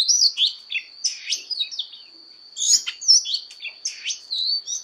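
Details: Oriental magpie-robin fighting song, voice training: clusters of sharp whistles and scratchy notes, a pause near the middle, then renewed rapid varied phrases over an unbroken high tone.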